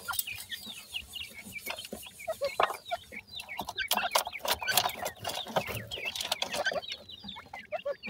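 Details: Francolin chicks feeding and playing in the evening: a dense chorus of short, high chirps and peeps from many young birds overlapping throughout, with scattered sharper clicks and soft clucking notes underneath.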